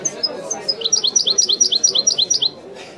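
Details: Widani-style song of a European goldfinch, a clear, even series of sharp, high, chirpy notes repeated about five per second through most of the clip, with thin piping whistles between and a low murmur behind.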